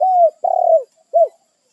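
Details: A spotted dove calls its companions in the wild, a territorial bird: a smooth low coo sliding down, a longer grainy, pulsing coo, then one short rounded coo.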